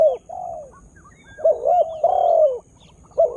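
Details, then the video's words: Spotted dove kept to attract wild birds; a long, level coo sliding down at the end, then wavering paired coos and an extended falling coo, with soft chirps behind. "Tekukur Dengan Daya Panggil Yg Unik Bikin Burung Liar jadi Emosi"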